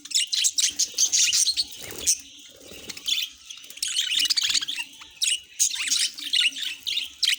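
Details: Pet budgerigars chattering in quick scratchy bursts and short warbles, with clicking sounds and a soft low hum in the background.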